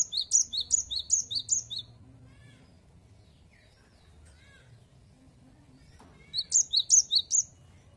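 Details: Cinereous tit in full active song, a 'wucit wucit' style offered for prompting other birds to sing: very high, sharp two-note phrases repeated rapidly in bursts of about four, then a quiet pause with faint low background rumble before another burst.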